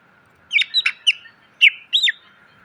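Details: Greater green leafbird song for cage-bird training: a short sequence of five loud, bright whistled and slurred notes with small gaps, over a faint steady hum.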